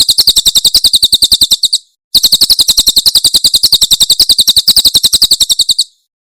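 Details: Tembakan Cililin song of a Javan prinia, recorded super clear as a tutor for pet birds: two long rapid trills of high buzzy notes split by a short pause, ending abruptly.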